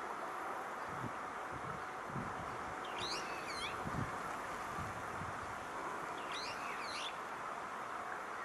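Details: Brown-eared bulbul (Hypsipetes amaurotis) gives two bursts of shrill, squealing calls, quick runs of high notes sweeping up and down, about three seconds apart, over traffic-like rumble; recorded 21 June 2014 in Odawara, Kanagawa, Japan.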